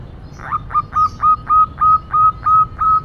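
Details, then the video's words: Local female zebra dove, noted for noisy cooing, giving a steady run of about nine short, clipped, mid-pitched coo notes roughly every third of a second, each with a quick downward flick, over a quiet low hum. "Perkutut Lokal Betina,Sekali Nutut Bikin Ribut"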